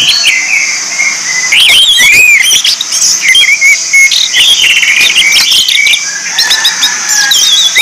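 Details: Lure song of the orange-headed thrush for training captive birds, with loud, clear whistled slurs, rising and dipping notes and quick bursts of chattering phrases strung together without pause.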